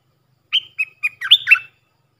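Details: Young-bird training sound from a decoy Puff-throated bulbul: three separate whistled chirps followed by a quick tumbling cluster of higher and lower slurred notes, clear and close.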